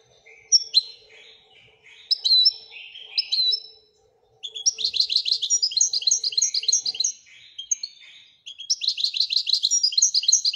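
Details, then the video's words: Wedania-style singing from a Moroccan European goldfinch: scattered twitters and rising whistles, then long dense runs of rapid buzzy repeated notes, several seconds each, with a faint hum early on. "الحسون المراكشي لغة الويدانية"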